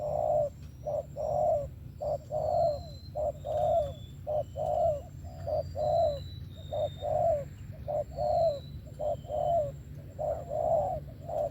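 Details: Spotted dove singing in 'thổ' style with 'tàng' notes: regular, rhythmic mellow coos nearly once per second for over ten seconds, other birds giving faint high whistles, constant low hum.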